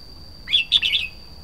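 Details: Red-whiskered bulbul singing one short, bright phrase of quick warbled notes, rising then sliding down, after a quiet start; a steady thin high whine runs through the background.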